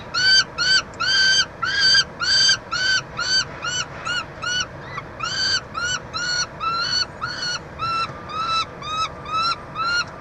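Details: Montreal peregrine falcon family at its university nest box, 22 June 2023, with the chick being fed; a long, strident series of arched, buzzy cries, loud at first, then quieter, evenly spaced notes.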